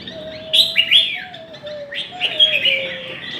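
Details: Chinese hwamei singing in a contest: loud bright whistled phrases sliding between high notes, with quick rising and falling slurs, over a steady lower whistled tone that dips in steps.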